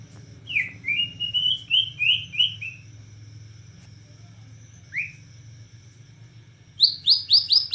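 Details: White-rumped shama of the Borneo type in nembak cililin song: a quick series of short chirpy notes, a long pause with one lone note, then a high, rapid burst of sharp notes at the end.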